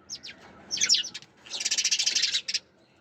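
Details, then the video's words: Short sparrow chirps lead into a dense run of rapid, evenly repeated high chips lasting about a second, then stop into near silence. "Sparrows Chirping Sound"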